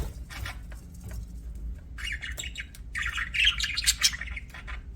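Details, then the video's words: Pet budgerigars chirping: a dense run of scratchy, warbling chatter mainly between two and five thousand cycles, building in the second half with bright squeaky notes, over a steady low background hum. "BUDGIES CHIRPING SOUND"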